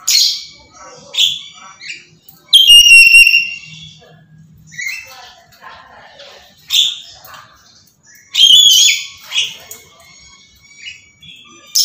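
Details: Black-capped lory screaming nonstop: harsh, raspy, high screeches in short bursts every one to two seconds, with two longer, louder shrieks, each lasting over a second, between quieter squawks.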